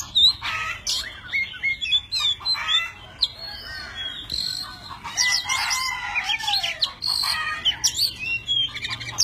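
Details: An Oriental magpie-robin, tame, sings in many voices while dancing with spread wings and fanned tail. Melodious whistles slide up and down between sharp chips and rapid twittering runs.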